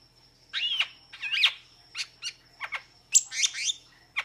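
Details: Metallic starling producing harsh, wheezy chattering phrases mixed with squeaky whistles, in bursts over four seconds, with a steady thin high tone running behind.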